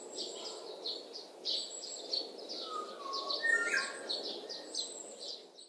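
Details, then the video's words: Oriole producing a few mellow whistled phrases in the middle stretch, partly covered by constant high-pitched insect buzzing and distant bird chatter. "꾀꼬리 소리 8가지 다양한 꾀꼬리 울음소리 꾀꼬리 새소리 Oriole sounds 꾀꼬리 우는 소리"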